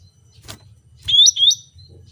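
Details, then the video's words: Cucak rante, a lively, fast-singing bird: one short phrase of two quick, bright, upward-sweeping whistled notes, high and clear, over a faint low rumble with a soft click just before. "CUCAK RANTE GACOR SUARA ASLI"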